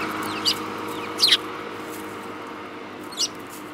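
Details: Sparrows from a group filmed on 18 March 2018: three brief, high chirps spaced apart, the middle one a quick double note, over a steady low electrical hum.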